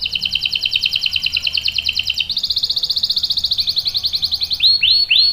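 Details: Canary delivering a long rolling song for luring and tutoring: a sustained, evenly pulsed high trill that steps up in pitch midway, closing with a few slurred, bouncing notes.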